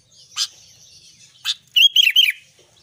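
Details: Albino sooty-headed bulbul singing actively: two sharp broadband chips, then a quick phrase of three bubbly, slurred, descending whistled notes.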